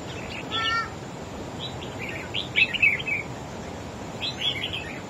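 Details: Red-whiskered bulbul, a wild-caught bird, in a singing duel against a rival. Short, rich whistled phrases come in quick groups with gaps between them, clear above a low hiss.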